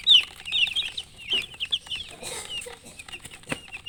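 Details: Chicks with a hen give a run of high peeps early on, then scattered chirps among rustling and clicks.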